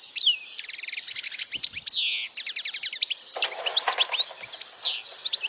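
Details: Powerful European goldfinch singing for young birds to memorize; fast continuous twittering with buzzy rattling trills, sweeping whistles and bright chirps throughout.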